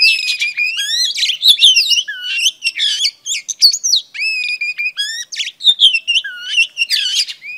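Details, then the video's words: Female oriental magpie-robin song aimed at exciting males: long, melodious, continuous warbling of whistled slides, repeated rising and falling phrases and occasional low swoops, with no other sounds. "Than mái hót kích trống P3 Oriental Magpie Robin Female"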